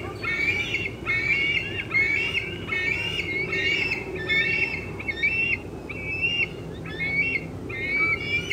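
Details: Bald eagle youngster keeping up a steady squee on a June 2013 afternoon beside an adult eating fish in an old tree; repeated high, wavering, whiny squeals in a near-continuous series over faint rural background noise.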